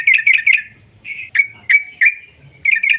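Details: Sooty-headed bulbul in lively song used to lure other birds into singing: three quick scratchy chirps, a short burred trill, several separate sharp clipped notes, then two more chattering chirps, with a faint low rumble underneath.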